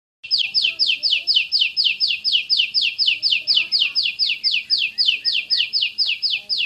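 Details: Champion Oriental magpie-robin (kacer) in its rapid, tightly spaced 'tembakan' (shooting) song style: a fast volley of high, downward-swept whistled notes, about four per second, steady throughout, with faint low murmurs beneath.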